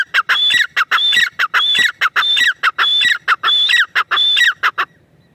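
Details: A teetar (partridge, possibly grey francolin) calls in loud, harsh, ringing phrases, each with a high whistled note, repeated rapidly about twice a second for five seconds before stopping.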